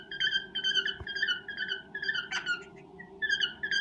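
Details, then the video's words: Male pet cockatiel indoors serenading a female while courting her: repeated warbling whistled phrases, each a short rising-and-falling note, given about twice a second, with one brief harsh chirp midway and a low background hum. "Chu courting Pika"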